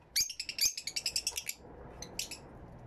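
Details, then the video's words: Fischer's lovebirds in an aviary, recorded with a camera and two external microphones: a rapid burst of about a dozen shrill, high chirps in quick succession, then a pause and a few scattered sharp notes. "Mes inséparables Fischer's lovebird"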